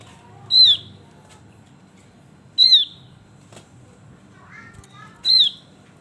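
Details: Javan grey-throated white-eye, a male in energetic voice: three piercing downslurred whistles, spaced about two seconds apart, with soft twittering and a few clicks in between.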